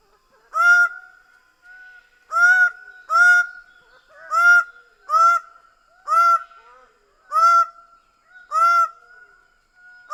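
Greater bird-of-paradise giving loud, harsh, nasal honking calls, each with a falling edge, repeated about once a second, often in pairs, over a faint steady whine.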